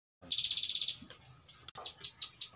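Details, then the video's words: A Bar-winged prinia gives a long fast song: a high trill of about a dozen identical chipping notes in under a second, then a few slower, spaced notes. "Kicau Prenjak Alang Alang ngebren panjang"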